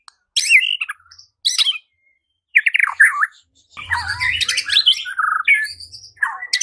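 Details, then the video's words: Murai batu, the White-rumped shama, in loud varied song used to provoke other birds to sing and fight: separate whistled phrases, then a dense, jumbled run of chattering and fluty notes, with a faint low hum. "Murai batu LANGSUNG TARUNG dan IKUT GACOR dengan pancingan seperti ini"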